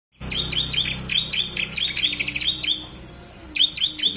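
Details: Bar-winged prinia song used as a lure to get lazy birds singing: fast bursts of high, bright, repeated two-part chirps, loud and busy for most of the clip, pausing near the end, with a low hum underneath.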